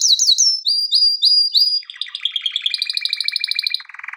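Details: Male canary training song: repeated upswept whistled notes, then a fast rattling trill, ending in a lower buzzy roll.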